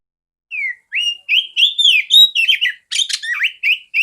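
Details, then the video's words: Loud, clear song of a female oriental magpie-robin played to teach other magpie-robins; after a short silence, a rising whistle leads into a fast string of slurred notes, scratchy chatter and quick trills. "Terapi burung kacer betina suara besar jernih kacer jantan"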